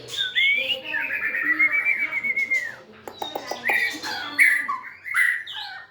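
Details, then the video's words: White-rumped shama singing while dancing and wagging its tail, recorded in 2024: long, clear whistled notes that slide and hold, then a rush of quick chirps and clicking ticks, and finally bright whistled phrases. "Big Sound Birds Singing Chirping"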